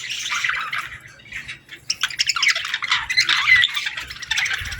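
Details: Baby budgerigars calling for food: dense, continuous raspy chattering and squawky chirps from several young birds, rising and falling in waves with brief quieter gaps.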